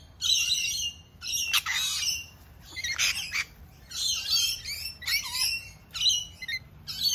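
A lorikeet gives harsh, screechy squawks in uneven bursts about once a second, mixed with lower warbling whistles copied from a magpie.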